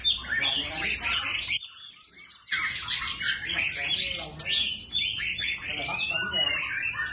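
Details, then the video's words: A kept white-rumped shama sings a rich, fast stream of clear whistles, trills and chatters, changing pitch and phrase continuously, with one brief pause near two seconds. "Choè Lửa Hót Hay Giọng Thiên Nhiên Quá Đẳng Cấp - Hót Đảo Giọng Cực Hay"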